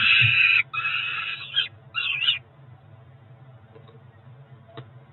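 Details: Four-week-old Peregrine falcon young at a Cromer nest in June 2023 give a few loud, harsh screaming notes during breakfast, then fall quiet, leaving only faint low background noise.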